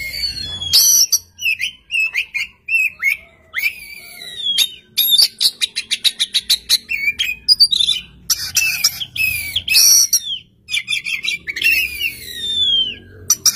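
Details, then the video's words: Oriental magpie-robin in full song from one spot, drawing a reply from another magpie-robin; loud varied whistles, sharp clicks in fast runs and buzzy notes, continuous and energetic throughout. "kacer gacor satu titik nembak bikin kacer lain langsung nyaut"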